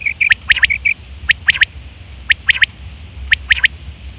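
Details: Female quail calling as a hunting lure: a short run of high, clipped tonal notes, then sharp clicking ticks grouped in threes, repeated about once a second.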